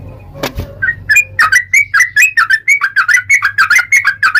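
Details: Long 'ropel' song of a yellow-vented bulbul, meant as a lure to get other bulbuls singing: a sharp knock opens, then rapid gurgling, slurred whistles run without a break over a constant low hum.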